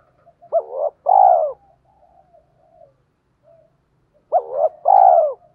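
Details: Spotted dove in the 'hạp bổi' voice style, calling to excite other doves. It gives two paired phrases, each a short hooked note and then a longer, drawn-out, slightly buzzy coo, with soft low murmurs between the phrases.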